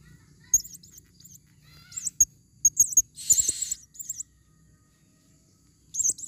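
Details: Female blue-crowned hanging parrot, forest lure recording. Scattered high wavering squeaks and pips, a brief harsh hissing burst in the middle, and a quiet stretch before a final shrill call.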